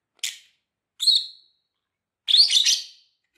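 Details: Lovebird chirps for training other lovebirds: a short sharp click-like note, a clear upswept squeak, then a longer harsh chattering burst, all high and shrill with nothing else audible.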